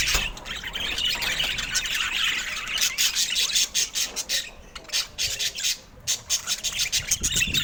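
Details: Budgerigar chatter: dense, scratchy warbling and squawky chirps, continuous at first then broken into short bursts with brief pauses, a noisy flock-like babble throughout.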